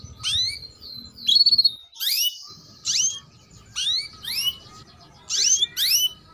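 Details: Female canary chirping, used to train young males to sing: sharp upward-sweeping high chirps in short bursts, some doubled, with a brief trilled note near the start and soft background hum.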